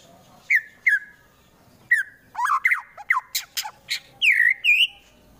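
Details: White-rumped shama fighter from Central Java sings harsh provoking notes aimed at rival birds: spaced, slurred downward whistles, then quicker sharp chips and two longer rising, buzzy-edged whistles near the end.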